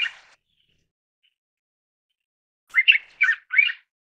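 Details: Mountain bulbul (Ixos mcclellandii) call: a clipped opening note, a pause of silence, then a quick run of three or four harsh, slurred squawking notes.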